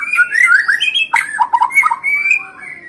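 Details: Murai batu, the white-rumped shama, in song used to provoke rivals: a fast, varied warble of slurred whistles, broken by a sharp click-like burst, then lower bubbling notes and a thin high trill.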